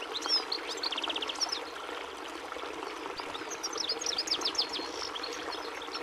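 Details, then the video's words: High-pitched European goldfinch song, with bursts of liquid twitters and a fast run of repeated notes, then more jumbled tinkling phrases, partly masked by steady hissing noise throughout. "Canto do Pintassilgo Português"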